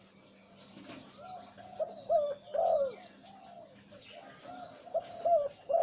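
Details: Zebra dove breeding male with a deep voice, of the หลิ่วตัน type, giving bursts of short staccato rolling coos, two or three quick notes then a longer bending note, with a faint background hum.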